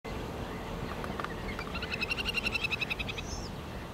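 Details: Little grebe (Tachybaptus ruficollis) giving a fast, high, whinnying trill of rapid pulses lasting about a second and a half, over a steady low rumble of background noise.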